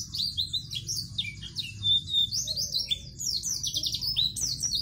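A white-eye pours out a fast, high, continuous twittering song of thin, sweet notes and trills without pause, over a faint low rumble.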